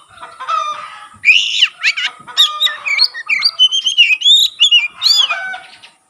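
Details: Oriental magpie-robin in full song with tail fanned, its singing said to stir other magpie-robins to sing: a continuous rich run of varied whistles, slurred upward and downward notes and quick trills, fading out at the end.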